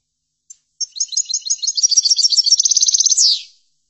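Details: European goldfinch giving chordonier tutor song: a couple of soft starting notes, then accelerating high liquid twitters building into an even rapid trill and a final downward buzzy sweep, with no other sounds.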